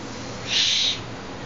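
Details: Young Tengmalm's owl kept in captivity, playing with a hand, gives a single breathy hiss lasting under half a second against a constant background hiss.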